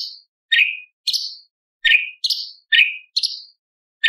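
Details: Light-vented bulbul song with mimicked lovebird, parakeet, bar-winged prinia and pancawarna phrases, used as a tutor recording: sharp chirps alternating between a lower and a higher pitch, about two per second, with clean gaps between notes.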